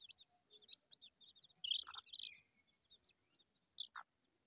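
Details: Newborn chicks feeding with the mother hen utter quick, high, clipped peeps in bursts. Midway there is a louder, harsher trilling cheep, and a brief lower squeak comes near the end.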